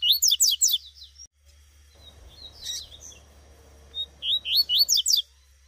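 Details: Wild tuitui double-collared seedeater female in the bush: a bright phrase of fast high descending slurs, a quieter middle with rustling and a brief burst, then the full phrase again, rising whistles into sharp sweeping chirps.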